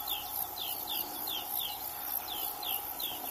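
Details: Melodious warbler song: a series of bright, down-slurred whistled notes repeated at a quick, fairly even pace, with a continuous high insect buzz and a steady hum behind it.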